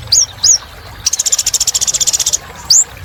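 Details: A purple-throated sunbird gives two high rising whistles, then a long, fast buzzing trill, and ends on another upswept whistle.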